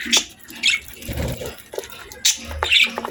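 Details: Pet budgerigars indoors while eating, giving short sharp chirps in bursts about every half second, mixed with soft pecking and rustling sounds of feeding.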